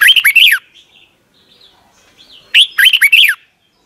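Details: Thai caged Red-whiskered Bulbul singing in the doubled style, played daily so young birds can copy. Two rapid warbling phrases of swooping whistled notes are separated by about two seconds of quiet with soft faint chirps.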